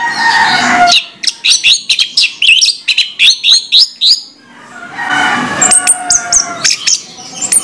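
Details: Morning song of an Orange-headed thrush: a fast series of sharp repeated chirping notes, about four per second, then a noisy pause and high thin whistles and clicks.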